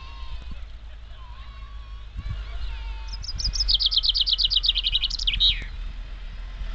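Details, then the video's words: A common chaffinch sings one bright, rattling song phrase: a quick run of notes tumbling down the scale and ending in an emphatic flourish, over a low background rumble. "Singing Chaffinch"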